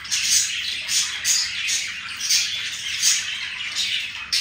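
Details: Two budgies showing each other affection, the chatter broken into short scratchy bursts about every half second, each a squeaky, rasping chirp cluster with brief dips between.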